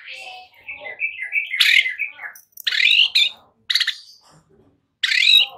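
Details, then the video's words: White-rumped shama song meant to prompt young untrained birds to sing fully and often: warbling run of whistled notes, then loud rising buzzy phrases with short pauses between bursts. "Pancingan murai BAKALAN Agar ikutan NGEPLONG GACOR dengan CEPAT"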